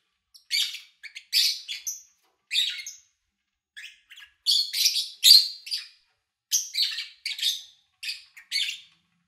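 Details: Kept lovebirds recorded in August 2019, with little engine noise or human activity: harsh, buzzy chirps in short bursts of one to three notes, about a dozen over nine seconds, separated by brief silences.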